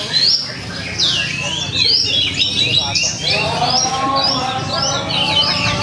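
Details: Javan bush lark singing at a songbird contest in Purwakarta on 2 February 2020: dense run of high, buzzy, rapidly sliding whistles and trills, with murmuring crowd noise and a low hum beneath.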